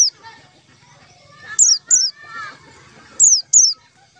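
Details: Whistled lure call of white-eyes, used when trapping them: two pairs of loud, high notes, each sliding down sharply, with soft warbling bird sounds in the background.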